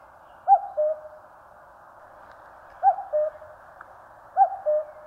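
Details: A common cuckoo calls in the mountains of Korea, giving three two-note cuck-oo phrases. A longer pause comes after the first phrase, and faint low rustling is heard.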